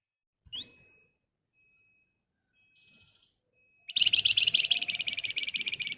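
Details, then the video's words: Flamboyan bird in energetic, chattering 'nyerecet' song played to prompt other birds to reply: a sharp chip and a short buzz, then a loud, sustained burst of rapid high rattling pulses over the final two seconds. "Burung Flamboyan Gacor Emosi Ngebren Rapat Nyerecet Cocok buat Pancingan agar cepat Nyaut"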